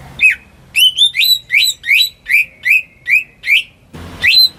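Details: Greater green leafbird raised at home, singing for luring silent birds: a single whistle, then a run of about eight rising slurred notes, followed by a thump and one more whistle.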